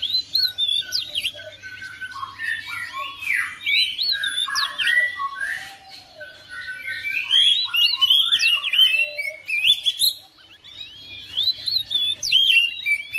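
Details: Oriental magpie-robin kept at home, singing in reply to another bird: dense, varied phrases of whistles, squeaky chirps and harsher notes, reaching lower than usual, repeated in bursts with brief pauses.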